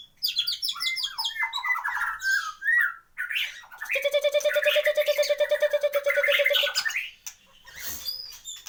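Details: White-rumped shama, a caged contest bird with a complete repertoire, delivers dense mixed phrases: quick chattering notes, then a long rapid rattling trill with layered harsh and whistled elements, ending in scattered chirps.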